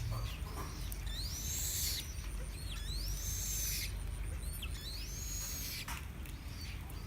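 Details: Chinese blackbird singing: three clear, high whistled phrases that each rise and then fall, spaced about two seconds apart, with short scratchy bursts and a steady low background rumble.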